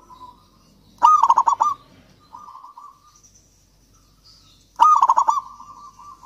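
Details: Lively local Javanese zebra dove song, a lure for doves that will not sing: two loud phrases of fast staccato coos, each trailing into a level purr, with a softer trill between them.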